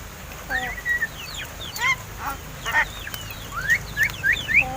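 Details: Seven-month-old pet crested mynas that have begun to talk give clipped whistles, short upward slurs and a few harsh bursts in rapid, uneven succession.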